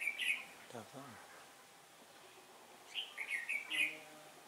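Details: Red-whiskered bulbul acting as a decoy in a trap, singing competitively on a windy October day: a brief bright note, a low human voice, then a warbled run of four sharp slurred notes.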